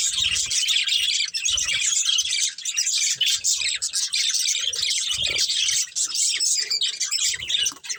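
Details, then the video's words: Two breeding budgerigars keep up nonstop high, gritty warbling chatter with tiny chirps woven through, steady in loudness throughout, faint low bumps below. "Cute Budgies Chirping Sounds"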